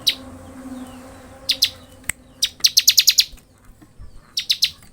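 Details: Ngebren-style song of a frequently singing bar-winged prinia: a few scattered high chips, then a fast run of about eight bright, piercing notes, and a shorter run near the end, with faint background hum.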